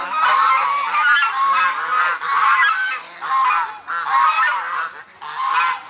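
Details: Chinese geese, or swan geese, a flock fed daily by locals, November 2021: six loud bursts of overlapping nasal honking, each about a second long, separated by short quieter gaps.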